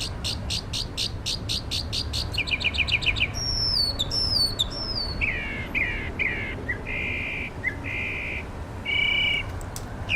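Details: Songbird outside a studio, opening with a fast series of sharp repeated notes that speeds into a trill, followed by slurred downward whistles and several buzzy, sustained notes, with a faint low rumble behind.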